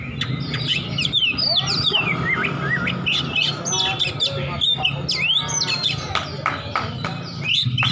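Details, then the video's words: Oriental magpie-robin fighter seeking an opponent, delivering dense whistled and chattering ngeplong phrases, sweeping notes up and down, against noisy background with voices and music. "kacer petarung cari lawan//ngeplong-ngeplong"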